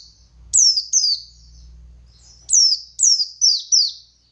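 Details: Buxtoni white-eye giving ngalas song as a lure: two sharp descending chirps, a pause, then a quick series of four falling high notes, with a steady low humming noise beneath.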